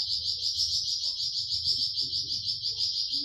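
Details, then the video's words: Flamboyan bird in 'tembakan' style, used to tutor caged songbirds such as cucak ijo and murai batu: a steady, very high buzzy trill that throbs roughly three times a second, with faint low background hum. "Tembakan Burung flamboyan"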